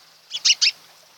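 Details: Osprey at a nest on Kent Island, Maryland, home to a mated pair, early morning of 12 July 2018: three quick, high, whistled chirps in a short burst, the last two louder, over a quiet background.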